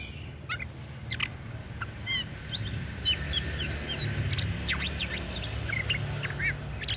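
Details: Daput oriental magpie-robin singing scattered sharp chirps, quick rising and falling whistled sweeps and short trills, spaced irregularly over several seconds with a steady low rumble underneath.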